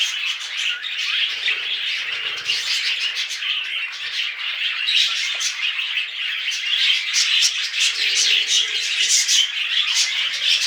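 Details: Budgerigars, also called parakeets, chattering during mating: a busy stream of high chirps, buzzy warbles and short squawks overlapping continuously, growing louder toward the end.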